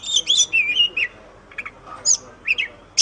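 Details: White-rumped shama for songbird training, short fluty warbled phrases and scattered sharp notes over soft background hiss.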